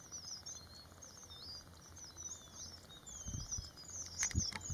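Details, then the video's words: Red avadavats (red munias, strawberry finches) preening in the morning give thin, high twittering chirps and squeaks in overlapping chatter, with low rumbling background noise and a few soft thumps. "Red Munias, Strawberry Finches, Red Avadavats bird"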